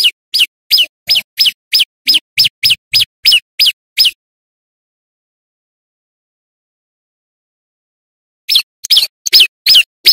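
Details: Male bar-winged prinia at full volume, sung for luring wild birds: a long rapid series of thin falling notes, a four-second pause, then another quick burst.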